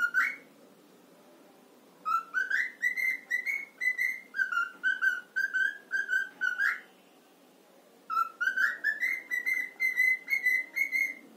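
A cockatiel whistles clear, tuneful phrases of rising and level notes, repeated in two bursts.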